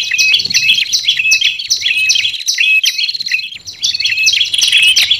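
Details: Olive-backed tailorbird trapping call blended with red-headed tailorbird, to attract wild birds: rapid high chirping with short whistles, a brief lull midway, then the busy chirping resumes.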